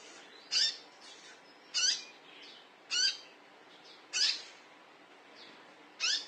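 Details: A konin, likely a male, gives harsh, raspy high-pitched calls, five bursts spaced about a second apart, over a faint hissing background; the call is used as a lure to draw other birds.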